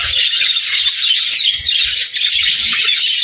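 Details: Singing budgies producing a constant, thick mix of high twitters, whistled slurs and buzzy chirps, with soft low taps beneath.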